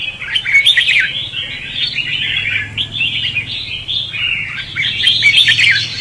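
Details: Red-whiskered bulbul singing in the competitive 'xòe' style, a lure for trapping: lively warbled phrases broken by a brief lull near the middle, then a louder, more emphatic run of notes.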